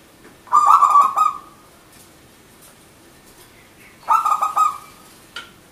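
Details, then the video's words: Wild-caught local zebra dove (perkutut) giving manggung song used to lure other birds. Two phrases of fast rattling coos, each trailing into a brief held note, separated by about three seconds of quiet. "Perkutut Manggung Gacor Gayer 100% lokal alam pikat merbok Turtledoves Zebradove"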